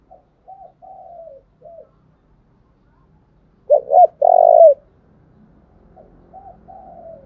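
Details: Decoy spotted dove cooing to provoke wild doves: several soft short and falling coos, a loud pair of rising notes with a sustained coo in the middle, then gentle coos over faint low background noise.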